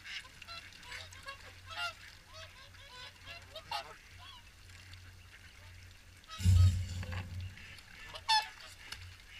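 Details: Swans honking during the morning feed at WWT Caerlaverock: scattered bugling calls from many birds, broken by a heavy low thump and rush of noise after six seconds.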